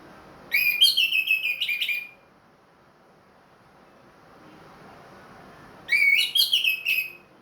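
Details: Caged orange-headed thrush of the Ring Kresek type, singing again after finishing its moult: two bursts of clear whistled, warbling phrases about two seconds long, separated by a pause of several seconds, over faint background hum.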